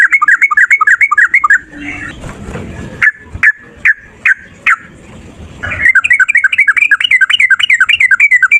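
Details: Male yellow-vented bulbul in a fighting 'ropel' song, played to coax other bulbuls into answering: rapid bubbly chatter, a noisy gap with several single sharp notes, then another long fast run of warbling chirps.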